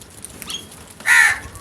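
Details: A crow calling while attacking food: a single harsh, hoarse caw late in the clip, after faint high chirps from other birds.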